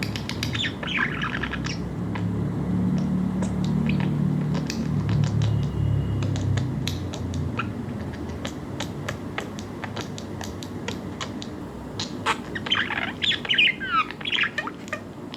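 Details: A curious budgerigar, listening to another budgie chirping, gives scratchy chirps and warbles, with sharp clicks and a low hum underneath.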